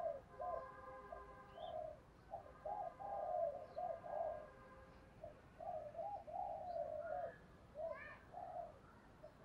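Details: Decoy spotted dove cooing and calling to provoke and lure wild doves. Repeated soft, low, rounded coo phrases with irregular gaps. Faint higher chirps from other birds are heard, along with a steady faint background tone.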